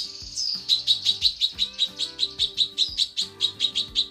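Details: A female cucak kinoi calls the male in a tutor recording, opening with a drawn-out note and then a steady rapid series of piercing chirps, about three per second, with music underneath.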